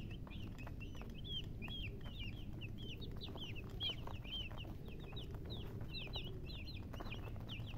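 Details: Baby chicks chirping: repeated thin, high peeps, several birds calling together in quick succession, with low background rumble.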